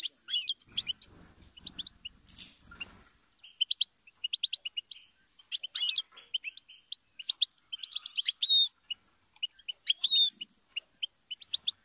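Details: Extended, lively goldfinch song of fast, tinkling twitters, buzzy trills and sweeping whistled notes in continuous phrases. A low rustling noise is heard during the first seconds.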